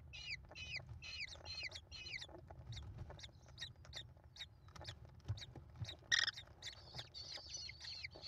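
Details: Five American kestrel chicks calling at a nest while their mother feeds them, filmed by a live nest camera on 28 May 2021; rapid downslurred harmonic chips come in quick series, then scattered clicks and brief squeals follow.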